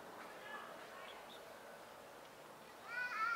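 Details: Sun conures, active and loud while preening and cuddly while relaxing, give soft scratchy chatter, then a sudden loud, harsh, ringing screech.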